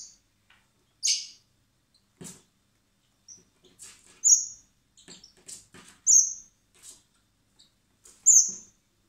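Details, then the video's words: Spring hand-feeding of common blackbird chicks at a wildlife recovery centre before release; sharp, high squeaky begging notes recur irregularly, mixed with clicks and rustling from the feeding. "Cebando a los polluelos de mirlo común (Turdus merula)"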